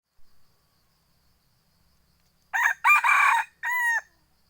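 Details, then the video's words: Second-generation (F2) junglefowl cross, a Hmong keeper's own bird, crowing once after a short faint note: two harsh, broken, raspy syllables, then a clear, held tonal ending that drops away at the close. "Tiếng gà rừng f2 gáy"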